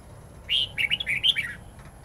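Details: Red-whiskered bulbul singing in the wild-forest style (giọng rừng) with long twisting notes, used to train young birds: a bright warbled phrase of about eight quick, bending notes lasting about a second over faint low hum.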